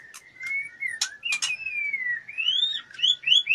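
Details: Female white-rumped shama in breeding condition, fluttering as she solicits mating, sings long gliding whistles that rise and fall, punctuated by a few sharp clicks.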